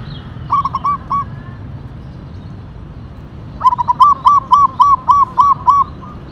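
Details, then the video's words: Local zebra dove (perkutut) of the tumbak cucukan katuranggan type giving its characteristic song: a short opening of three arched coos, then after a pause a longer run of about eight evenly spaced, clear, slightly rising-falling cooing notes. "Perkutut Lokal Gacor Katuranggan Tumbak Cucukan Suara Berkarakter"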